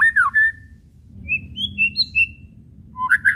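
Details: Whistled phrases of a white-rumped shama, meant to get silent shamas singing: a looping whistle then a long flat note, a short pause, a run of high level whistles climbing in steps, and a final burst of fast notes.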